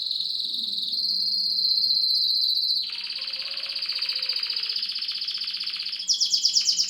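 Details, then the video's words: Syrian canary singing: a long, steady high trill held for nearly three seconds, then a lower, softer rolling trill with rapid pulses, ending in a sharper, louder high trill; a faint low hum underneath. "syrian canary sings"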